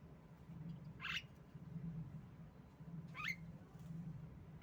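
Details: Female Javan myna giving lure calls to prompt silent birds to sing: two loud, harsh, rising squeaks about two seconds apart over a noticeable low droning hum.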